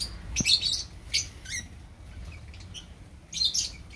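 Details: Opaline lovebirds in a colony: a few sharp, squeaky chirps, a pause with faint notes, then another shrill cluster near the end.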